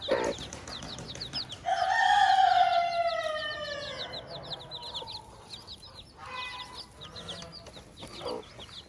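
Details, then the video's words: Hen with her chicks on a farm: a loud, drawn-out, slightly falling harmonic call lasts about three seconds over constant high, quick peeping from the chicks, followed by softer clucks. "the hen with her chicks"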